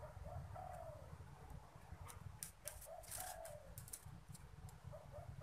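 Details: Spotted dove kept as a cage bird, cooing at the arrival of strangers: repeated low phrases of short notes ending in a long falling coo, against a deep background rumble and scattered clicks and knocks.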